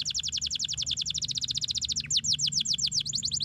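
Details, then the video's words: Canary song used to prompt lazy canaries to sing: a fast continuous trill of rapidly repeated descending notes, briefly changing to slower, deeper downslurred notes before the quick trill resumes, over faint low background hum. "estimular muito rapidamente o som do chilrear dos canários preguiçosos"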